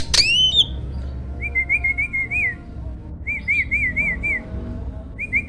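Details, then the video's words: Master recording of a champion starling for training songbirds: one sharp upslurred squeal, then quieter series of five or six warbling whistled notes, repeated after a pause, over a low background hum. "MASTERAN BURUNG JALAK SANG JUARA!!"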